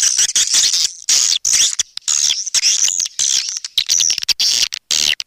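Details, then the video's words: Swiftlets calling, a lure recording meant to draw swiftlets in: busy, high-pitched chirping and twittering in clustered bursts with sudden brief gaps between them. "SUARA PANGGIL WALET"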